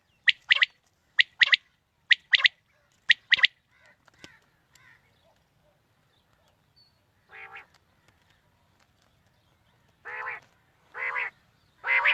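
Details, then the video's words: Quail calling for morning hunting: a run of crisp three-part phrases, one short click-like note then two rapid ones, followed by a pause and three drawn-out nasal, buzzy calls, with quiet surroundings. "Batair ki new Awazay| Quail Calling 2020 | Batair Ki Awaz suba ki shikar Ki liye|Saaf Batair Ki Awaz"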